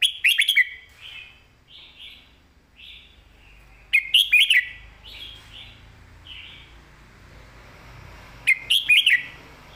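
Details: Red-whiskered bulbul singing a clearly phrased master-pattern song: three loud, bright warbled bursts about four seconds apart, linked by soft fluty whistles.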